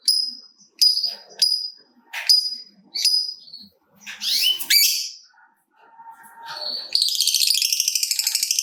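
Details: Lovebird used to stimulate other lovebirds, with a long 'ngekek panjang' trill. Several sharp, high chirps come first, then a fast, high, pulsing chatter at the end.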